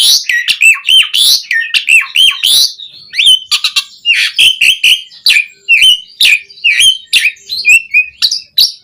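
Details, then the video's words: Asian pied starling singing, a training recording for caged starlings: loud, varied phrases of harsh buzzy notes mixed with clear whistles that swoop down, delivered rapidly with short pauses. "Masteran Jalak Suren Gacor Full Isian JITU Buat Pancingan Kicau Burung Jalak Agar Cepat Bunyi Mewah"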